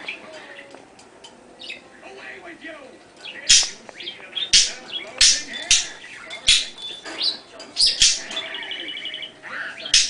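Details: Female pet bird kept indoors, giving sharp high chirps and tweets in irregular bursts, several per second at times, over a faint background murmur of voices and household sounds.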